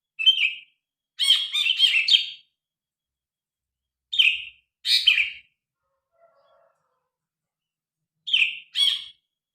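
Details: Harsh, scratchy phrases from a grey-cheeked bulbul, recorded on a phone: short clusters of two to four rasping notes separated by silent gaps of one to several seconds.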